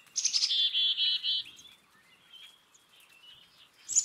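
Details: Black-capped chickadee calling: a sharp high opening note, then a rapid run of about six buzzy, raspy dee notes lasting just over a second, followed by faint softer notes and a last high chip at the end.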